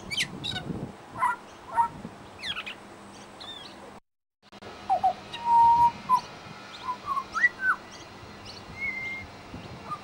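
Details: Australian pied butcherbird in suburban Brisbane mimicking local sounds: clear fluted whistles, slurred rising notes and short chirps, a brief silent break, then held pure tones and looping whistles.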